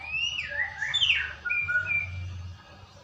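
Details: White-rumped shama lure song played to prompt a bird to sing: clear whistled phrases, some sliding down and others rising, then short bright notes, with a low hum underneath.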